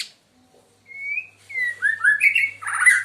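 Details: Loud, melodious murai Medan, a White-rumped shama, opening with a long rising whistle, then descending slurred whistles and a harsh, buzzy high warble at the end.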